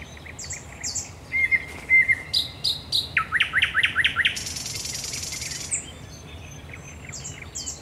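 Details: Singing by night at Raszyn Ponds on 10 May 2021, a thrush nightingale gives high whistles, a flat sustained note, stacked clicks, a rapid rattle and a dry buzzing hiss before quieter whistles.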